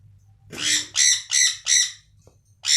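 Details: Caged budgerigars in an aviary colony give four harsh, buzzy squawks about half a second apart, then a fifth after a pause. A low electrical hum runs underneath.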